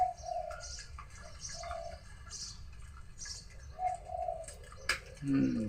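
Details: Two wild doves cooing vigorously around a tamarind tree near a house in Thailand; short, low coos in bursts separated by pauses, with scattered higher chirps and a few clicks.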